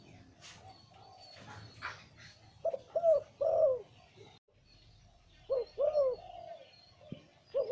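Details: Deep-toned liu tan zebra dove breeding male repeating cooing phrases of clipped notes ending in a long rolling downward coo, with some background clatter and a soft knock between phrases.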